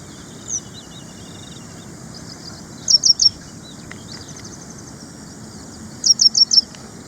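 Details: Ashy prinia (Prinia socialis), with two short bursts of three to four high, thin notes separated by quiet stretches of faint background chirps.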